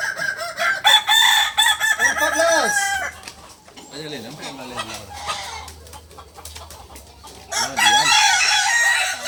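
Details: Kukuak Balenggek roosters at a Sunday joint practice event in Ampang Kualo; a harmonic crow with wavering, stepped notes opens, then sharp clicks and chatter, and a second bright crow near the end.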